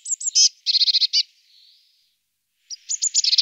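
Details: High-pitched Eurasian blue tit calls: a few thin notes, a rapid churring series of harsh pulses, a soft trailing note, then a pause before another quick chattering burst.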